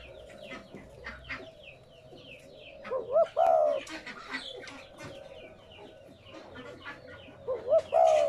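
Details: Spotted dove cooing, used to stimulate captive doves to coo: two phrases, each a quick wavering rising note then a longer low slurred coo, over constant clucking and chattering from other birds.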